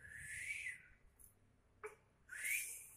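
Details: A kept sooty-headed bulbul (Pycnonotus aurigaster) sings two bright, slurred whistled phrases about two seconds apart, with a brief sharp note between them, over a steady high hiss.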